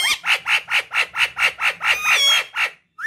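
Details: A rose-ringed (Indian ringneck) parakeet, a talking pet, gives a rapid run of about a dozen harsh, grating squawks, roughly four per second, loud and high-pitched, ending in a brief rising note.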